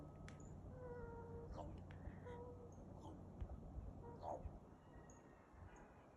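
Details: Common raven in a small woodlot in March 2023 making strange noises while two Cooper's hawks mob and chase it west: short flat mid-pitched whistle-like tones, knocks and wavering notes, with thin high chirps of other birds and steady background rumble.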